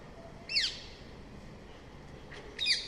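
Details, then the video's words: Rose-ringed parakeet uttering two separate harsh, downward-sweeping screeches about two seconds apart over faint background hiss. "Call of Rose ringed parakeet | Ringneck Parrot Natural Sounds | Parakeet call"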